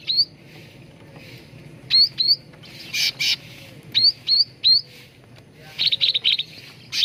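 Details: Cucak ranting bulbul on a lure recording for training birds to sing. Sharp whistled notes with upward flicks in pairs and triplets, broken by bursts of noise and a quick chattering run near the end.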